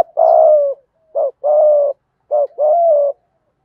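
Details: Spotted dove, male and female voices used to prompt caged doves to coo; repeated low hoarse phrases, a short curved note leading into a sustained level coo, three times in quick succession.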